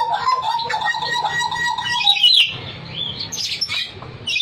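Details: Hooded butcherbird song: steady mellow whistled phrases give way to higher, sweeping and warbling notes, with a soft low rumble of background noise underneath.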